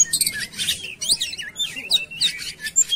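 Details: Oriental magpie-robin lure recording: short bursts of high twittering alternate with looping whistled phrases and clear pure notes, spaced by tiny gaps.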